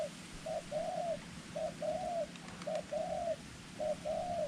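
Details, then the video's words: Decoy dove with white claws and a small voice, used for ground and tent-trap luring of wild doves; soft cooing phrases, each a short note then a longer arched coo, repeated about once per second over a low steady hum. "จ้าวเต็งหนึ่ง+เสียงนก จัดเชลย มงคล เล็บขาว เสียงเล็ก"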